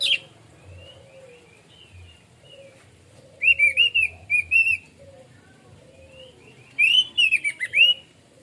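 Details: Relaxed 'plong' singing from an orange-headed thrush (anis merah): two loud bursts of rapid, clear, high whistled notes, slurred up and down, separated by quieter thin whistles and a faint lower warble.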